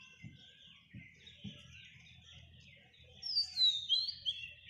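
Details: Baby parrot on its first day, during hand feeding: rapid, high, squeaky chirps repeated several times a second, growing louder and more insistent near the end, with a few soft low knocks early on.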